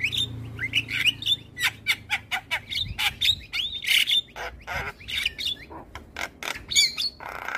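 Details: Morning song of a white-eyed Javan myna used to prompt other birds: rapid string of squawky chirps, slurred whistles and rasping notes, low hum early on.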